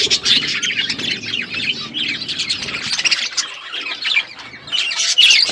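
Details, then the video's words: Budgies eating food, a lively chatter of high chirps, warbles and short squawks from several birds, easing for a moment before a louder burst at the end. "Beautiful budgies parakeet eating food birds chirping sounds"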